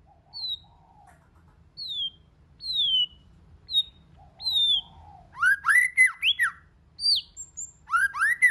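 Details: White-rumped shama singing many voices: five high, drawn-out descending whistles, each answered by low soft notes. Then comes a fast sequence of loud arched, ringing notes broken by a brief thin whistle.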